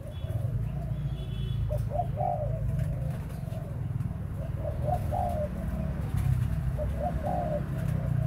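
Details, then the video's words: Soft repeated cooing of a spotted dove kept for breeding, short hollow notes in loose phrases every second or so, partly masked by a heavy low droning background. "Cu gáy sinh sản"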